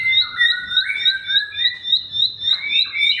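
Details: Bar-winged prinia singing, played to coax quiet caged songbirds into song: quick repeated high chips at a regular pace, layered with lower sliding whistles that rise toward the end, and a soft low rumble behind.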